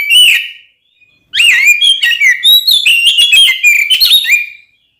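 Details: Oriental magpie-robin song used to provoke other magpie-robins into fighting: a whistled note, a pause, then a rapid jumble of sweet whistles, chirps and sliding notes lasting about three seconds.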